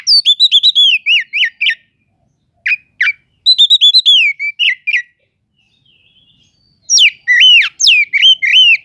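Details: Oriental magpie-robin song used to provoke sluggish magpie-robins: clear whistled phrases of looping, rising and falling slurs in rapid bursts, a short silent pause, then more fluty varied notes.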